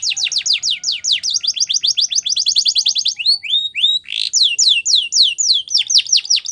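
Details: A Belgian canary sings its champion training song for young canaries: a long rapid roll of sharp descending notes, then slower rising and falling whistled sweeps and a brief rasping burst, all high-pitched and continuous.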